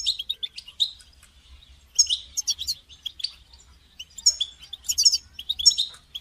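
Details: Caged European goldfinch chirping and twittering to stimulate another goldfinch to sing; quick bursts of high, tinkling notes and buzzy trills separated by short silences.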